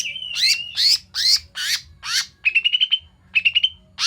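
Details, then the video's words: Small bulbul calls used as a lure for trapping and provoking birds: loud downward-slurred chirps about every 0.4 seconds, then two quick trills of short rising notes, over a low steady hum. "untuk pikat dan pancingan burung cucak mini/koto"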